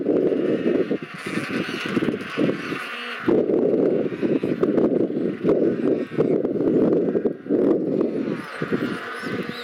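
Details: A Royal penguin colony on Macquarie Island in the sub-Antarctic. Loud, raucous braying bursts repeat in rough pulses separated by brief lulls, with many birds overlapping and higher drawn-out cries now and then.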